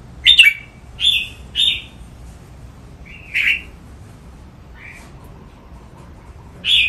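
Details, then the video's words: Song-training recording of a caged red-whiskered bulbul in playful phrase-counting style: separate bright, slurred whistles come at irregular intervals of one to two seconds, some preceded by a quick sharp click. "นกกรงหัวจุก ร้องเล่นริก"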